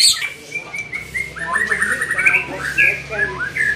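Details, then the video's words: Young white-rumped shama in training, singing a steady stream of short repeated whistled notes then warbled slurred phrases, fairly even in pitch, with a low hum in the background. "Melatih Mental Murai muda"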